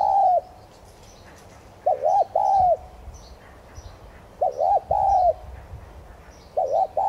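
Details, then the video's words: Streptopelia chinensis tigrina decoy cooing in the rapid 'thúc gù' style meant to stimulate singing. Repeated low phrases, a pair of short arched notes followed by a longer held coo, roughly every two and a half seconds, with soft high twittering. "Chim cu gáy THÚC GÙ Giọng CỰC HAY kích bổi"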